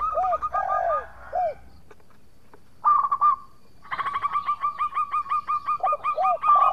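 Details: Vocal local zebra dove, recorded as a lure to draw replies from opponents: a burst of low curving coos, a pause, then a long rapid series of clipped, repeated cooing notes with a second voice chiming in.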